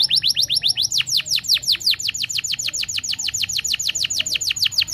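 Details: Canary song intended to get other canaries singing: a quick series of short high notes, then a long rhythmic run of rapid descending whistled sweeps, about six per second.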